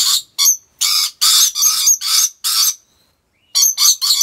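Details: Captive rainbow lorikeet at Taman Satwa Gurun Putih Lestari zoo, Aceh Besar, Indonesia, giving harsh, grating screeches in quick bursts, about nine notes in four seconds with a short pause midway.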